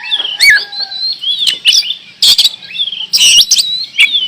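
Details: Oriental magpie-robin from Indonesia, singing energetically: varied whistled phrases, some sliding and others warbled, broken by sharp broadband clicks and harsh notes. Short pauses separate bursts of rich, fluty song.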